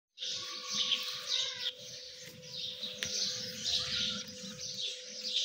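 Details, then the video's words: Partridge chicks giving a run of high, shrill cheeping notes, loosely spaced and overlapping, over a steady electrical hum and low rumbling background noise. "Dakani Teetar chicks | Partridge beautiful chicks"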